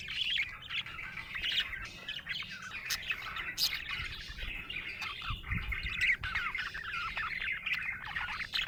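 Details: Budgerigar chirping happily, a long rambling warble of high chirps, clicks and short trills, with a faint low thump partway through.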